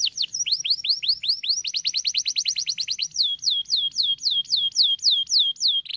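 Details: Canary song of rapid rising sweeps that gradually give way to slower, clear whistles curving downward, each repeated at a steady pace.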